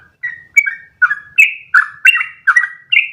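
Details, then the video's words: Sooty-headed bulbul in full song for training other birds: a string of rich, slurred chirps, each a quick two-part whistle, spaced about every third of a second. "MASTERAN burung trucukan terbaik biar ikutan ropel panjang 1 nafas"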